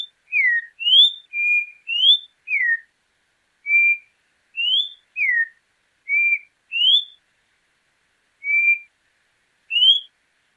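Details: Whistled regional-style song of a Campo troupial in Brazil: pure, ringing notes alternating between upward slurs, downward slurs and steady level tones, delivered about one per second with a longer gap near the end, with no other sounds.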